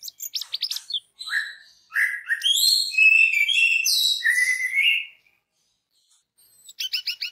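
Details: Lure song of the orange-headed thrush meant to prompt other orange-headed thrushes to sing: quick high stuttered notes, then a long varied whistled and warbled phrase with falling and rising slurs, ending in a rapid high trill.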